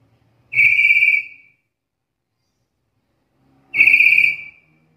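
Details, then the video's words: Black-capped lory calling, a call described as seldom heard in other lories and ideal for tutoring songbirds: two steady, pure whistles of under a second each, roughly three seconds apart, in otherwise quiet surroundings. "Suara panggilan burung nuri kepala hitam ini jarang dimiliki nuri lain"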